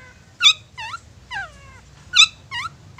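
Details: Long-tailed shrike in the 'satu titik nagen tegak' style, used to lure young or wild shrikes: a few harsh, nasal notes with a downward bend, spaced about half a second to a second apart, over a faint low hum.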